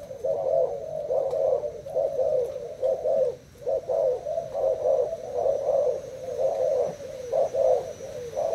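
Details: Spotted dove, Thai variety, cooing against a decoy after two days caged: repeated low burry coos in clustered phrases, a gap near three and a half seconds, then steady cooing again.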